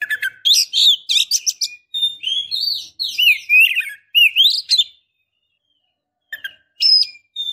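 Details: Female Oriental magpie-robin calling the male to stir or court him: a fast run of sharp chirps and swooping whistled notes rising and falling for five seconds, then silence and a few brief high notes.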